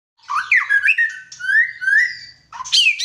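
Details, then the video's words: White-rumped shama singing a varied run of clear whistled notes, some rising and some falling, with long sweeping slurred whistles in the middle, broken by a short pause before harsher buzzy phrases. "MURAI GACOR"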